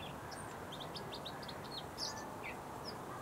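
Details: Bluethroat song: scattered high, thin chirps and short trills with gaps between phrases, over steady low background noise.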